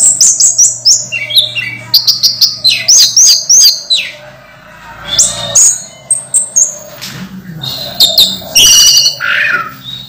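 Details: Orange-headed thrush, moulting but still singing strongly, gives a rich, fast medley of high whistled and chattering phrases in quick bursts over a steady low hum.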